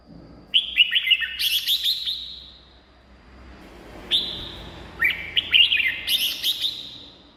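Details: Red-whiskered bulbul song played to stir caged birds or attract wild ones; a loud phrase of rapid whistled notes topped by a buzzy burst, a pause, then a second similar phrase.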